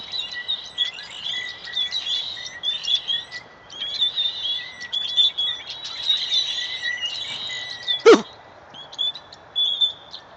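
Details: Flock of birds chirping from a tree around 4:45 pm MST, sunset approaching; busy high twittering in bursts with short pauses, and one sharp louder snap partway through.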